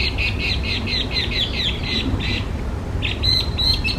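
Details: Chinese hwamei, a designated invasive alien species in Japan, singing a rapid run of about a dozen bright, clipped notes, a short pause, then a few more emphatic notes, over a steady low rumble.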